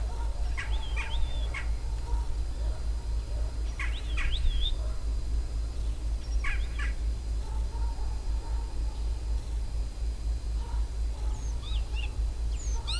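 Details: A common starling sings at a dacha garden plot: a jumble of slurred whistles, dry clicks and brief rattles over a low rumble.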